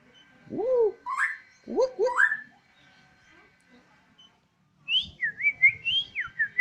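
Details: Home-kept Borneo white-rumped shama on a terrace giving rich rising whistled swoops, then a quick jumble of zigzagging whistled notes.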